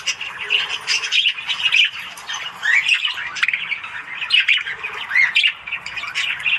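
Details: Budgies in the morning warble and squawk in pulses, with whistled upward-sliding chirps standing out amid the continuous twittering of several birds.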